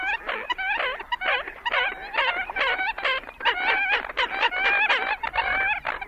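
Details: American Coots, marsh birds, give a busy run of nasal, grunting, croaking and squawking notes, several a second, some rising and bending, overlapping as if from more than one bird.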